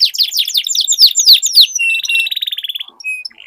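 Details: Duel between canaries in long rolling song. A run of falling whistled slurs shifts into a rapid buzzy roll and then a few thin pure notes.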